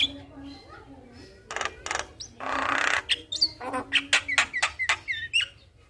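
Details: Javan myna (jalak kebo) song used as a lure for a lazy, silent jalak: a loud harsh rasping burst, then a quick run of chattering notes and short upward whistles, with a faint low hum.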